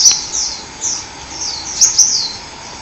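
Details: Wild forest hummingbird song: a series of very high, sweeping downslurred chirps and a few sharp ticks, spaced irregularly across under three seconds, with constant low hiss behind.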